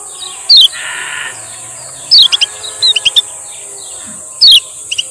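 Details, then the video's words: Male lemon-bellied white-eye of the Lombok type, recorded as a lure for silent birds: sparse, bright, downslurred whistles and a few quick chirps spaced over several seconds. A constant high-pitched hiss sounds in the background. "SUARA BURUNG KECIAL KUNING"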